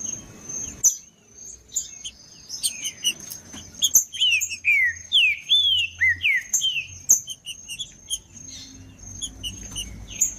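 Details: Wild green-winged saltator singing in the bush, played to stir up captive birds: a run of loud, slurred whistles sliding downward, about six in quick succession mid-clip, over a steady high insect whine and faint chirps.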